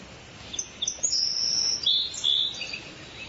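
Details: Birdsong in a forest: after a few soft chirps, bright high whistles sweep and slur in long overlapping phrases, with quick twittering notes in between and a faint hiss underneath.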